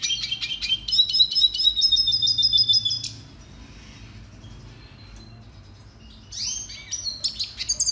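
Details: A red siskin, the Venezuelan cardenalito, sings a long high rattling trill of rapid repeated notes for about three seconds, falls silent, then resumes with buzzy sweeps and sharp chirps.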